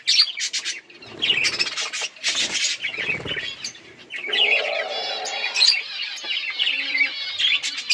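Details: Budgerigars chirping while eating and playing: continuous overlapping warbled chatter and squeaky trills, with rasping sounds in the first half.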